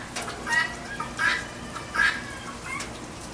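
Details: At a rainy backyard feeder, a guinea hen gives four raspy squawks spaced under a second apart, against a background of falling rain.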